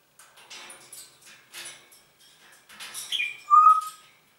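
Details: Pet Congo grey parrot that speaks German, including a "Guten Morgen" greeting; soft murmured chatter and clicks build into louder syllables, ending in a pure whistled note held for about half a second.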